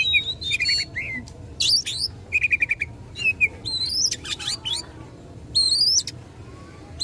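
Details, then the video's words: Oriental magpie-robin provoking rivals: scattered whistles, short trilled runs of repeated notes and high rising slurs over a faint background hiss. "Kacer Gacor tarung memicu emosi lawan"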